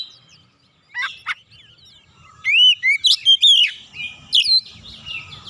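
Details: Oriental magpie-robin (kacer) song meant to rouse birds into singing: a quiet start with two short scratchy notes, then a run of loud, sharply inflected whistles and chips.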